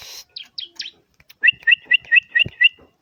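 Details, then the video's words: Bar-winged prinia (ciblek) singing, meant to get other ciblek to join in: a few squeaky high notes, then a steady series of six clear doubled chirps, evenly spaced about five per second. "BURUNG CIBLEK Mu bakal ..langsung ikutan bunyi"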